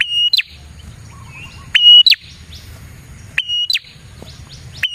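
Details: Lure recording of a prinia singing: bright, high phrases open with a sharp upward snap, hold a level whistle, then end in a short falling flick, repeated about every one and a half seconds with soft chirps between and low background hum.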